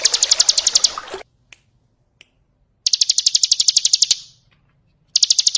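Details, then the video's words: Bar-winged prinia singing ngebren as a training song for other birds, with splashing water at the start. Bursts of rapid, high, evenly spaced notes are broken by short pauses and isolated clicks. "Masteran ciblek ngebren + gemercik air"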